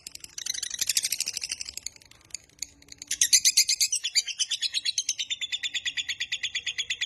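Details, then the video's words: Lovebird 'ngekek' trill used as a training master: a dense high chatter for about two seconds, a brief lull, then a long steady run of rapid rattling pulses to the end. "Suara MASTERAN Burung LOVEBIRD Ngekek Panjang Paling Cepat Dan Ampuh Untuk Memancing"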